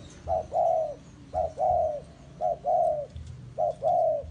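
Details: Spotted dove kept as a bait bird for trapping, about to be taken to the forest, gives three coo phrases, each a short clipped note followed by a longer falling coo, roughly one phrase per second.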